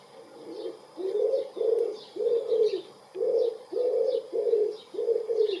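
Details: Common wood pigeon, one of two in a garden in spring, 23 April 2019, filmed close up while cooing: steady low hooting coos in phrased runs of about eight notes, with faint high chirps from small birds behind.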